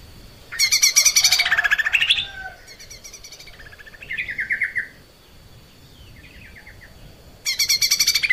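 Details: Captive Lesser Green Leafbird in active, full song, used as a training recording for cage birds: loud bursts of rapid, buzzy, chattering trills, then softer slurred whistled phrases, and a final loud chattering burst. A steady high electrical whine runs throughout.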